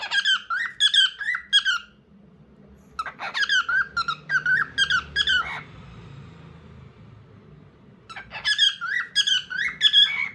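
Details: Pet bird calling inside a small room: three bursts of fast, squeaky, harmonic chirps, each a string of short repeated notes, separated by a quiet gap, over faint low hum.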